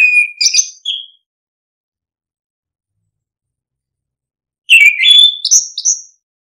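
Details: Orange-headed thrush song fragments used to stir lazy birds: a short warbled whistle opening, several seconds of silence, then a fast, stepped series of high slurred notes climbing upward.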